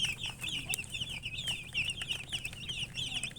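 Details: Baby chicks peep together in a steady high chorus, bright rising and falling notes packed closely without pause, over a faint low hum and scattered clicks.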